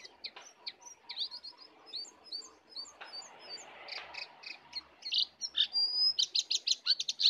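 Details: Sooty-headed bulbul in a wild-versus-caged singing contest with full 'isian' phrases; scattered chirps over a hissy background, building to rapid loud repeated notes at the end.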